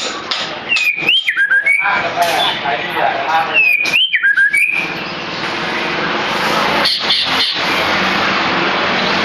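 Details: White-feathered shama singing over a loud hissing background: twice a clear whistled phrase that rises, then slides down in quick looping notes, about three seconds apart, followed by noisy rustling.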